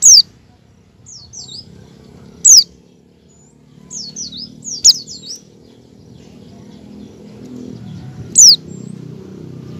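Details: Bright descending whistled notes from an oriental white-eye, loud single notes alternating with rapid runs of three or four softer slurs; 'ngecal' and 'ngalas' practice used to draw song from other white-eyes.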